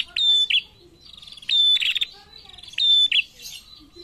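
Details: Chatty female prinia answering males, giving three high phrases roughly every 1.3 seconds; each opens with a clear, level whistle and breaks into a short buzzy trill, with faint twitters in the pauses.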